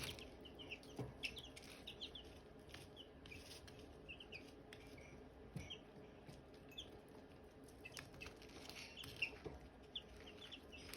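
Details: Silkie chicks and hatching eggs: a busy chorus of small, high, slurred peeps throughout, accompanied by tapping and scratching sounds.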